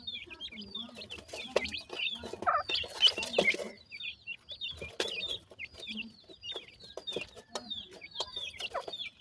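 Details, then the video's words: Baby grey francolins peeping continuously, their thin falling notes repeated quickly and overlapping, broken by loud clicking and handling noise around the third and fourth seconds. "grey francolin chicks speech,sweet voice of a baby pheasant"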